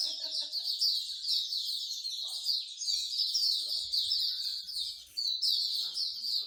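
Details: Many songbirds singing together at a bird singing corner in Singapore: a dense, continuous chorus of high, rapid warbled and chirped phrases overlapping without pause, with faint low murmurs of people in the background.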